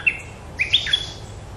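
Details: Short Red-whiskered bulbul phrase of quick, clear whistled notes, a lone note followed by a rapid cluster of upward and downward slurs, with faint low hum behind.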